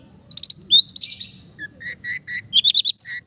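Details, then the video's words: East Java long-tailed shrike singing relaxed, mimicry-filled song as therapy for quiet birds; quick high chip trills, then a series of lower soft whistled notes and a rising twittering flourish. "TERAPI CENDET BISU KURANG FIGHTER DENGAN KICAU SANTAI CENDET JATIM GACOR FULL ISIAN"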